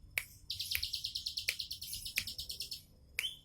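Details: Relaxed 'tembakan' song of a bar-winged prinia: a rapid, high, rattling trill of about two seconds, with sharp clicks breaking in between and faint background hum.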